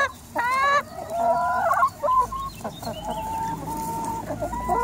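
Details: A flock of 180 hens: one loud, harsh squawk opens, then overlapping clucks and sustained level tonal notes from many birds, with short gaps between bursts.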